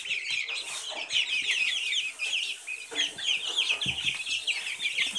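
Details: Silkie chicks in a dense chorus of high, thin peeps, many overlapping chirps running continuously with brief dips in loudness and faint low knocks beneath.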